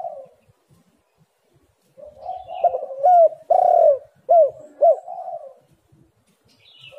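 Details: Spotted dove coos used to coax reluctant birds into calling: after silence, a phrase of low coos builds to several loud, emphatic notes, then trails off softly.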